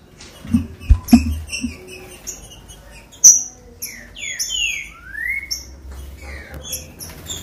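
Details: Captive green-winged saltator song meant to stir other caged birds into singing: clear whistled notes that slide downward, then one long rising whistle. Soft knocking and high ticking notes are heard around them.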